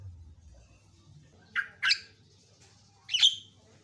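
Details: Javan myna training recording: after a quiet hum-filled pause, two quick harsh rasping notes, then a louder, shriller squawk about a second later.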